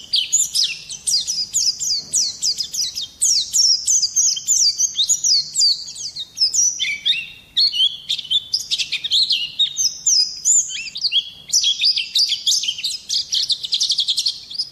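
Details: Extended Oriental white-eye song used as a lure and tutor for other singing birds: a sustained, rapid, high-pitched warble of twitters and downward slurs, nearly continuous, with a brief softer stretch midway.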